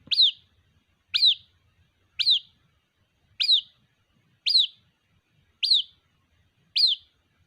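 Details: Seven sharp, high peeps from a white-breasted waterhen chick calling for its mother, each a quick falling note spaced just over a second apart against a quiet background.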